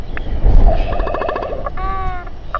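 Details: Royal albatrosses gathering and fighting beside a nest with a chick in New Zealand, evening of 27 January 2021, live camera: rapid rattling clatter followed by a steady, nasal harmonic moan, over strong wind rumble.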